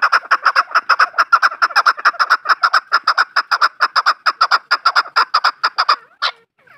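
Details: Farmed chukar partridge delivering a loud, fast, regular series of clucking chuck notes, roughly two per second, which ends abruptly with one higher, sharper note.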